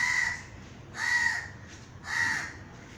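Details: A crow gives three hoarse, grating caws at a steady pace, roughly one per second, each broad and nasal in tone, against faint background noise.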